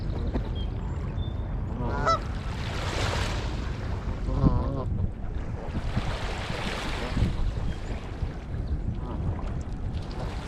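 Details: Canada Geese being fed corn by a bay on a gray day, recorded 30 May 2022 on a GoPro Hero8; short nasal honks with rippling harmonics near two and four and a half seconds over steady water and wind rush, broad splashing bursts between.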